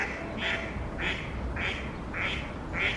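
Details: Quacking of a female mallard at Oksywie, 2 April 2021, one of two pairs present: five harsh, nasal quacks evenly spaced about half a second apart over a low background rumble.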